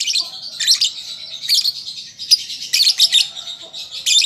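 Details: A young lovebird learning to sing keeps up almost continuous high, grating twitter and squeaks, with sharper accented chirps breaking through every half second or so.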